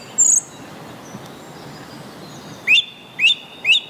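A Song Thrush sings a short, bright, rising-and-falling phrase three times in quick succession, after a thin high whistle, over a faint background hiss.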